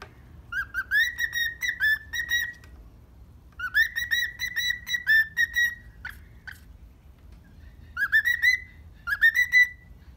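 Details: Happy cockatiel kept as a pet, morning: three bouts of quick, rippling whistled notes rising then holding level, with short silent gaps and a couple of soft clicks between them.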